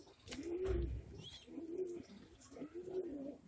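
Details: English Magpie pigeon of a fancy breed in Bhavnagar, Gujarat, India: three low, humming coos about a second apart, with a thump near the start and soft background noise.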